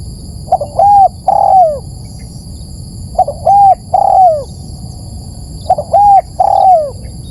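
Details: Spotted dove lure sound: three matching phrases spaced about 2.5 seconds apart. Each is a quick double note, a rounded coo and a longer coo that droops at the end. A faint continuous high whine is present.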